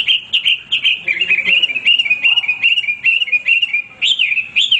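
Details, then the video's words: Hwamei singing without pause: a steady flow of clear whistled notes with small wavering turns, interrupted by brief dips, ending in rising, looping phrases. "wambi gacor berkicau tanpa henti"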